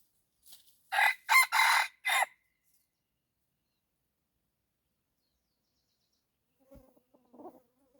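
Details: Red junglefowl used as a decoy to draw in wild junglefowl gives a rapid four-syllable crow lasting just over a second, then quiet, with faint low rustling near the end.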